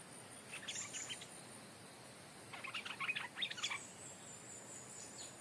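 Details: Stripe-throated bulbul decoy calling at the site where it was caught, now taken over by a new territorial bird. A brief faint chatter is followed by a louder, rapid run of squeaky, bubbling notes.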